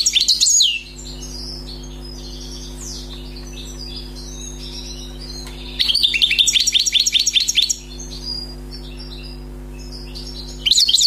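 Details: Wild European goldfinch, newly caught, described as singing without faults: three bursts of fast, jingling, high-pitched twittering separated by quiet spells with sparse faint chips, a low mains hum throughout.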